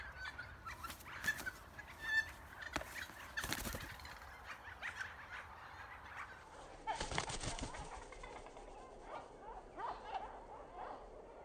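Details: Noisy friarbird being released after wildlife rehabilitation gives harsh, raucous cackling calls in irregular bursts, mixed with rustling and knocking noises close by.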